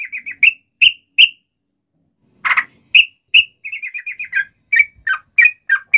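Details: Sooty-headed bulbul song meant to coax other bulbuls into singing. Clear whistled notes come singly and in short quick runs, with gaps of a second or more between groups.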